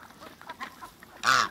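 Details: Two Muscovy ducks playing with water in a backyard: soft faint calls, then a loud, harsh, harmonic call lasting about a quarter second near the end.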